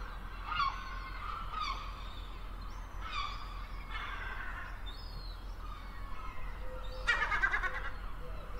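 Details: Herring gull (Larus argentatus) giving a string of harsh, nasal mewing and yelping calls about once a second, with a louder burst near the end, over a steady low rumble.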